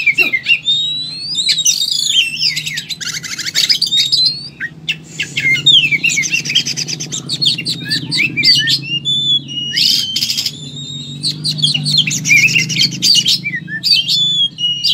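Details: Kacer, or oriental magpie-robin, in full fighting ('tarung') mode, delivering a torrent of mixed phrases: clear rising and falling whistles alternating with harsh buzzy trills and chattering bursts, over a constant low droning hum.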